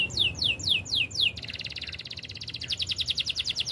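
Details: A Spanish Timbrado canary gives a training song of five loud sweeping downslurred whistles, then a fast, evenly pulsed metallic trill that carries on and grows stronger.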